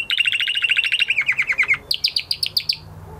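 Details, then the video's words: Male canary after moulting sings a long rapid trill that slowly drops in pitch, then jumps to a higher series of repeated chirps. "Canary Trying To Unlock His Full Singing Potential Part 2 - Canary Singing Video"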